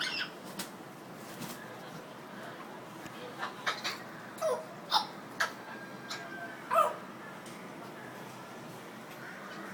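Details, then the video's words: An African grey parrot in Dhaka, Bangladesh, talking after a bath, gives a few short, voice-like utterances and squawks, with clicks and a steady hiss of room noise. "African Grey Parrot Talking after bath"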